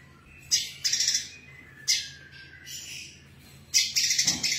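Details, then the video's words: Actively singing female brown-throated sunbird: scattered bursts of shrill, high, dry chirps separated by short pauses, with a low steady hum in the background. "kolibri kelapa betina gacor materi gereja"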